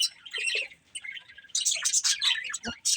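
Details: Budgerigars from a breeding pair, softer scattered chirps at first, then louder bursts of high chattering in the second half.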